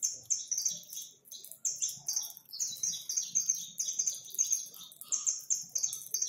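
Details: More than a hundred free Saffron finches at a backyard feeding spot make a continuous, overlapping chorus of shrill, rapid chirps and short twittering phrases with no other clear sounds.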